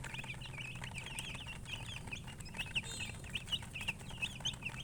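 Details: Chicken giving quick, high, slightly rising chirps in a nearly unbroken series, some louder peeps standing out, over a low rumbling background.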